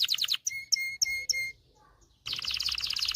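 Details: Canary song played to train young males and ready hens for breeding: a quick high trill, a few repeated whistled notes with a steady lower tone, a brief pause, then a dense loud rolling trill.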